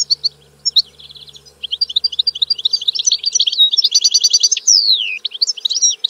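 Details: Continuous European goldfinch song, a rippling stream of tinkling chirps and twitters building into a fast buzzy trill, followed by a long smoothly falling whistle and more bright chatter; faint low hum behind.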